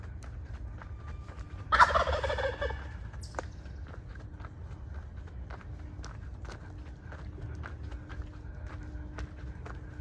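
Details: A male wild turkey walking ahead of a hiker on a trail lets out a single burst of rapid, rattling gobbling near two seconds in, followed by footsteps crunching along the path.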